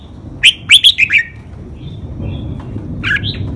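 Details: Caged red-whiskered bulbul delivering a five-syllable แม่บท ลากหวาย training song: five rapid, ringing whistled notes in under a second, followed by low background rumble and a softer distant reply.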